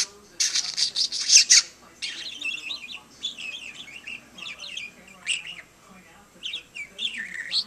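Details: Indoor pet budgerigar talking to a lamp: a loud harsh burst of rasping chatter, followed by a string of quick, twisting, whistled warbles and chirps with short pauses.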